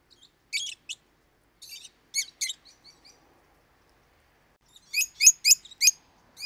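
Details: Pet lovebird song: scattered harsh chirps and soft squeaks, a pause, then four loud sharp chips in quick succession and a final squeak.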